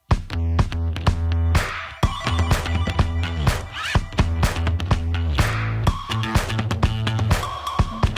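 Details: Funky, disco-style music with a steady thumping beat, deep bass notes and bright instrumental stabs throughout; no animal calls heard.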